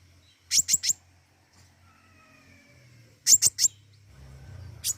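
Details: Pentis raja flowerpecker in full voice: quick bursts of three sharp, very high clicks, two bursts about three seconds apart, with low hum and faint soft notes between.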